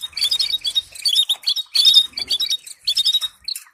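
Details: Training song for canaries, with rapid sequences of sharp high twitters and short chirped notes coming in quick repeated bursts throughout.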